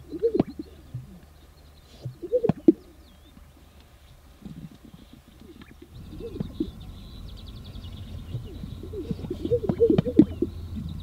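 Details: Male Greater Sage-Grouse strutting in spring on a lek in the sagebrush steppe of southern Wyoming at sunrise, heard from a photography blind before watching females; low bubbling coos broken by sharp paired pops near two and a half and ten seconds, faint distant birdsong.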